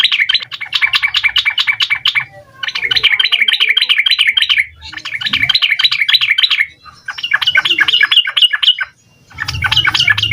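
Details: Lure for young sooty-headed bulbuls, meant to prompt quick replies: rapid-fire 'ropel' song packed with varied notes, delivered as dense two-second runs of quick chirps separated by short breaks, with faint low rumble underneath.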